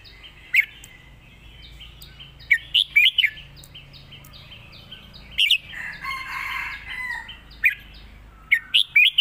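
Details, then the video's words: Red-whiskered bulbul singing a competition 'master song' (phleng mae bot) for contest birds: short bright warbled phrases in quick clusters, over a steady rapid ticking from another bird, with a harsh, rooster-like crowing burst midway. "เพลงแม่บท นกแข่ง"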